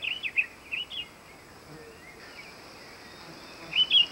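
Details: Diademed tanager song: a few short, high chirping notes in quick succession open the phrase, then a quiet pause over steady background hiss, before two brighter, slightly warbled notes return at the end.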